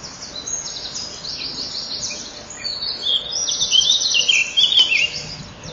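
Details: Common kingfisher nest chamber, 12 May 2013, shortly before 08:00, male coming in to feed the young after the female leaves; faint high chirping builds into a louder cluster of shrill squeaky notes over a steady background hiss.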